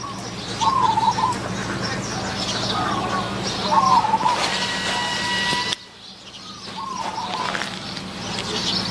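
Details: Zebra dove calling near a decoy trap set in Wapi district, Maha Sarakham, Thailand; two bubbling coo phrases three seconds apart, a faint metallic ringing, then a sudden drop to quieter background with a distant coo.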